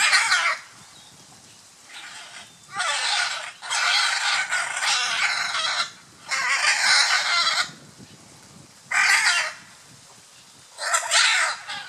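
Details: Courting scarlet macaws at Playa Blanca, La Palma, Osa Peninsula, Costa Rica, giving long, grating, noisy screeches lasting one to two seconds each, separated by pauses of quiet background, about six outbursts in all.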